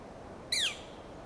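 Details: Northern flicker foraging in Del Monte Forest, California, with another flicker calling close by; one loud, harsh, downslurred call lasting about a quarter second, with a faint steady background hiss.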